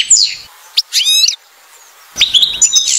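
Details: A female European goldfinch at nest building gives short bursts of chattering twitter, a buzzy trilled phrase, a pause of near silence, then a renewed run of bright chips.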